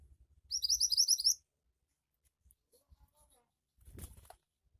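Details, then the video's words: Lively 'gacor' song of a Javan white-eye, played to make birds start singing: under a second of quick, high, upslurred twittering notes, followed by quiet with faint low rumbles and a brief soft noise. "Burung Mantenan Gacor Cepat Bikin Burung Mantenan bahan cepat ngoceh"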